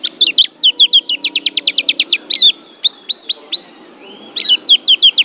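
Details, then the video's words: White-eye singing in quick bursts: a rapid series of high descending chirps, then several rising sweeps, a short pause, and another chirp run. A soft low hum sits underneath. "SUARA BURUNG PLECI"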